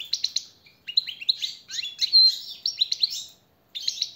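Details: European goldfinch song used as a master tutor and motivator recording: quick, tinkling twitters and buzzy, liquid trills in rapid bursts, broken by a brief pause before resuming. No other sounds.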